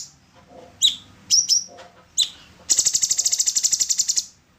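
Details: Orange-bellied leafbird song used as training material for songbirds: three sharp, upward-slurred whistled notes, then a fast, even rattling trill of about sixteen pulses lasting over a second.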